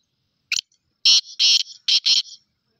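A black francolin gives one short opening note, then four loud, harsh, grating notes in a quick rhythmic phrase lasting under two seconds.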